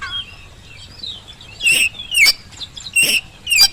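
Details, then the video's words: Oriental magpie-robin lure sound to draw replies from reluctant birds: soft whistles, then four loud harsh rasping bursts spaced under a second apart. "kacer gacor pancingan kacer malas bunyi saat di rumah maupun di lapangan jadi cepat nyaut"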